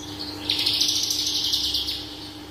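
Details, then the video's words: Rapid high twittering song from a parva Horsfield's bush lark, singing in full: one continuous buzzy, scratchy stream of closely packed chirps, slightly rising at the start, with a constant low hum underneath. "BRANJANGAN parva gacor dor full isian"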